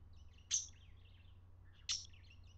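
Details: A parakeet described as aroused gives two short, sharp, high chirps about 1.4 seconds apart, each with a faint twittering tail, over a low steady hum.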